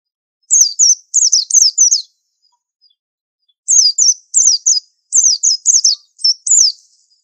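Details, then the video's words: Bursts of four or five fast, high, descending chirped notes from a white-eye, repeated three times with short pauses, in an otherwise quiet setting. "Pleci super antik masterannya harus unik"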